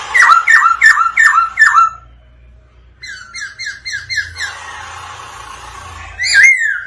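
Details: Black-throated laughingthrush male answering a female's 'ro ro' call: five loud, fast, down-slurred whistles, a brief pause, then a softer repeated series and a final sharp whistle.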